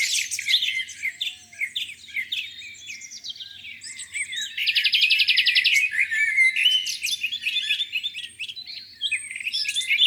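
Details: Lakeside birds on a spring morning pour out a dense chorus of high chirps and whistles, with one long, fast, even buzzy trill in the middle and faint low rumble beneath.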